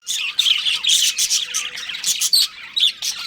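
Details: Breeding pair of pet budgerigars chattering in dense, bright bursts of twittering chirps, with short pauses every half second or so between squeaky runs.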